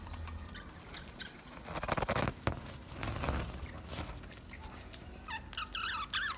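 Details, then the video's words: Budgerigar chirping: about five seconds of scratchy clicks, taps and rustling, then a short burst of quick, warbling, up-and-down chirps near the end. "Beautiful Budgie Sounds"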